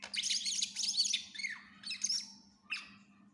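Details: Greater green leafbird singing vigorously, this stretch dominated by loud harsh, scratchy squawking bursts with a slurred whistle between them, then shorter rasping notes, over a steady low background hum.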